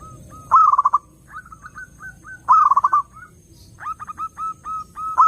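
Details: Zebra dove lure song: two loud stuttering rolled coos about two seconds apart, separated by light rising coo notes, then quick repeated clipped notes and the start of another roll.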